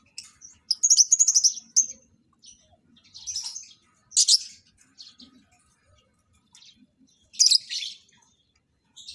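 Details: Lovebirds being matched for breeding give a fast rattling chirp series, then scattered harsh single chirps with quiet spells between.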